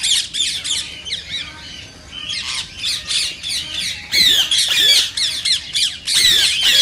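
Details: Harsh, high-pitched squawking of a rose-ringed parakeet, used to prompt singing and mating; rapid screech bursts, a quieter stretch in the middle, then loud strident calls returning.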